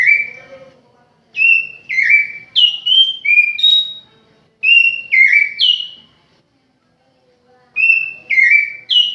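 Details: Oriental magpie-robin kept at home delivering loud whistled phrases, each a quick run of three to five sharp notes stepping up and down, repeated in bursts with short silent gaps between.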